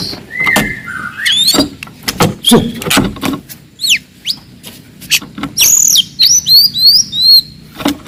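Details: Forest white-rumped shama in a very loud, aggressive song meant to rile rivals: sharp clicks and rattles mixed with high whistled slurs and upward-sweeping notes, with a steady low background rumble.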